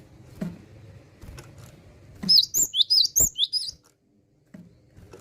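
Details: Gelatik batu, the Cinereous tit, singing steadily: one quick run of about eight bright, high, slurred notes in the middle, set against low room rumble and scattered soft knocks.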